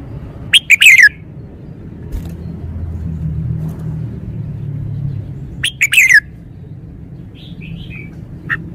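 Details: Caged red-whiskered bulbul showing off its song style with every note stressed clearly: two loud, quick whistled phrases about five seconds apart, each a few sharp notes sliding downward. A low rumble runs underneath, and a few faint chirps follow.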